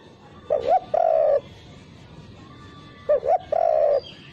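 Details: Spotted dove coo used as a lure to train birds, in a version without the final 'kuk' note. Two low, mellow phrases, each a short wavering note followed by a longer steady coo, about three seconds apart, over a low background hum.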